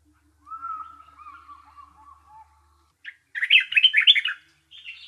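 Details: Bulbul sound opening with a long, thin, wavering whistle. A pause follows, then a burst of rapid, squeaky chirps and a short closing twitter.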